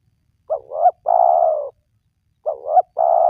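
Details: Spotted dove call played to make wild doves that rarely call start cooing: a short wavering double hoot followed by a drawn-out level coo, heard twice, the second cut off at the end.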